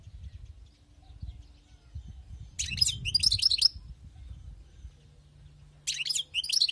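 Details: A wild-caught European goldfinch singing two short bursts of bright, tinkling high twitter separated by a pause, over a low background rumble.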